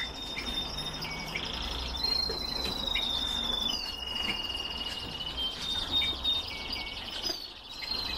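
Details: Canary from a breeding setup: long, thin, high whistled tones that waver and step between pitches almost without pause, with faint trilled notes and a low background hum.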